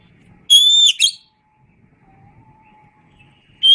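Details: Oriental magpie-robin (kacer), masteran song: a sustained clear whistle with a short chirp after it, long quiet stretch with faint low background and a thin hum, then another whistle starts.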